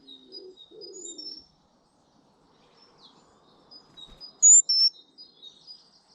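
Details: British garden birds singing: short, high thin whistles and chirps scattered throughout, a louder pair of sharp notes near the end, with a low soft cooing phrase near the start.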